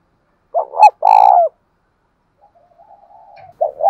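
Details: Spotted dove with the deep 'thổ sấm' voice style, used to stir up a decoy bird. One loud low coo phrase: a short doubled note, then a long drawn note, and a faint trailing coo.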